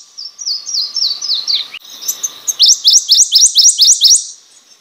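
A Prothonotary Warbler sings loud, ringing sweet-sweet notes, about eight high, clear repeated phrases in a rapid series, with a fainter similar series before it.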